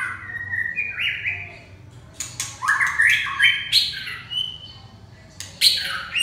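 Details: Red-whiskered bulbul with rising whistled notes, then loud harsh chattering bursts mixed with bright warbles, and a final scratchy burst after a short pause.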